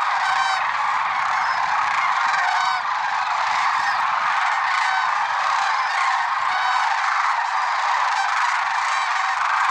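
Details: Large flock of lesser sandhill cranes at Merced National Wildlife Refuge, early morning, February 6, 2023, trumpeting constantly, distinct rolling rattled calls repeating over a thick chorus of distant voices.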